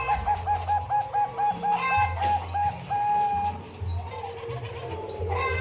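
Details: Zebra dove of the Bangkok type at Umbaran giving a series of soft, evenly spaced cooing notes at steady pitch for about three seconds, then a fainter stretch, against low hum and background voices.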